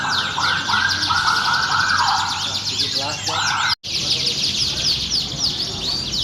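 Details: National champion canary singing: dense, fast buzzy trills and rapid repeated high notes, with lower rolling note series early on. A sharp break cuts in midway, then the high trilling resumes.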